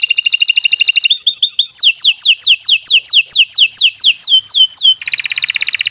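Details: Canary delivering a long lure song for training birds to sing: a rapid buzzy trill, quick chirps, a string of steadily repeated descending whistles, then another dense fast trill.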